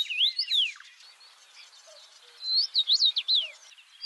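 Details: Red-headed bird singing outdoors: a short burst of rising and falling whistled notes, a pause of soft background hiss, then a fast run of bright zigzag whistles ending in a downward slur.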